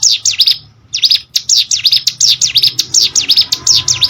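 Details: Hill prinia (prenjak gunung) song meant for training competition birds; after a short pause, a steady run of high, swinging V-shaped notes pours out continuously.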